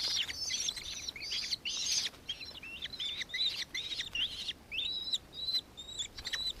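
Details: Shrill, squealing call notes of a nankeen kestrel, recorded in Victoria, Australia, 4 December 2024, delivered in quick, irregular sequences of high, slightly wavering notes.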